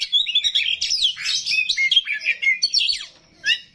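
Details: Oriental magpie-robin singing a rough, varied song: rapid rich whistles, slurred rising and falling phrases and harsh chattering notes tumbling together with hardly a pause.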